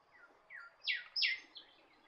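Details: Norfolk Island golden whistler (Pachycephala pectoralis xanthoprocta), a Golden Whistler subspecies found on Norfolk Island, gives about five quick, clear downward-sliding whistles, the middle two loudest, over a faint background hiss.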